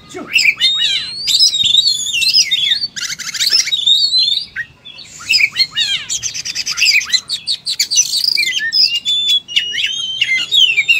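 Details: ['Oriental magpie-robin in full fighting song, pouring out its learned material. A dense, high, nonstop stream mixes sharp whistles, buzzy rattles and scratchy chatter with almost no pauses. A faint low hum runs beneath.']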